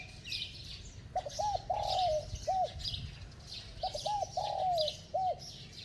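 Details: Spotted dove with a ringing, bell-like voice cooing rapidly. Two matching phrases about 2.7 seconds apart, each with quick hooked notes, a long sliding coo and a short final note. Chirps from other birds sound in the background.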